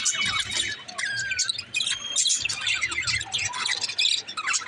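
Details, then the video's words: Parakeet twittering: fast overlapping chirps, short whistles and a brief falling squeak. The sound is constant and high-pitched, over a faint low hum. "parakeet chirping sound🐦💛 l parrot budgie talking original sound"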